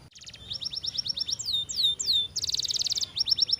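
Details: Canary trilling in quick succession: a short buzzy roll, a run of rapid chirps, three slow descending whistled slurs, then a dense rattling trill and further quick notes, high and clean.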